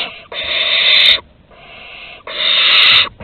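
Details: Barn owl chicks at the nest entrance in Théding during prey deliveries, 15 August 2020: two long, harsh, rasping hisses of about a second each, with a softer hiss in between.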